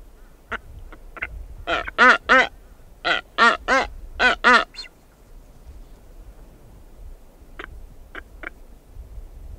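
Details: A female blue-footed booby (Sula nebouxii) walks around her nest site, giving loud, harsh, quacking honks in quick bursts of two or three, recorded close up, with fainter, shorter notes before and after. Blue-footed booby.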